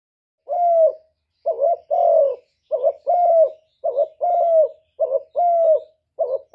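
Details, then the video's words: A spotted dove coos steadily, low and hollow, about once a second, alternating drawn-out smooth notes with short doubled ones, a lure-style call; no other sounds are heard. "cu gáy giọng thổ thúc gù + gáy gọi giọng rất chuẩn để kích bổi"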